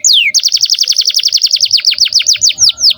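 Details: Canary singing to train juvenile canaries: one falling whistle, then a fast even series of about twenty short downward-slurred notes, slowing at the end.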